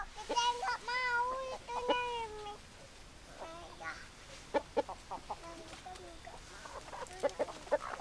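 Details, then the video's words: Chickens at a farm: a few drawn-out, harmonic calls in the first two and a half seconds, followed by quieter, irregular short clucks and clicks. "Chicken Sounds Noises Hens Clucking Roosters Crowing"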